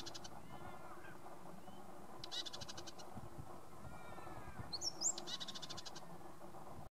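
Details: Male Red-capped robin at Limbri giving faint, dry, high rattling trills of rapid clicks, one near the start and two louder ones later, the last mixed with a brief sharper chirp, over steady low background noise.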